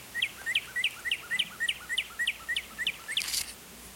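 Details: Cardinal singing outdoors, captured with a condenser microphone: a steady series of short slurred chirps rising then dipping, about three per second across four seconds, over a constant hiss of background noise, with a brief noisy burst near the end.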